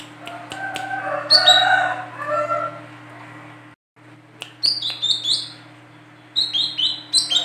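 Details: Female olive-backed sunbird used as a lure: a lower twittering warble, a short break, then rapid high, falling chirps in quick clusters, with a steady background hum.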